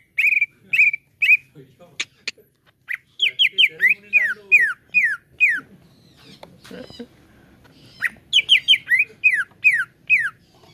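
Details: Lure song of the cucak ijo, or greater green leafbird, played to make caged birds sing: flat whistles, then bursts of quick downslurred notes separated by a quieter patch with clicks and muffled sounds.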